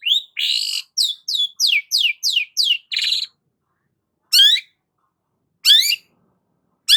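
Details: Long-tailed shrike giving a rapid series of loud, upslurred squeaky notes and a buzzy rattle, followed by three widely spaced harsh, rising calls.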